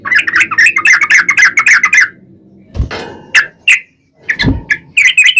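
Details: Yellow-vented bulbul song meant to coax other bulbuls into singing back: a fast chattering run of bubbly notes for two seconds, then thumps and knocks between scattered single notes before the chatter resumes.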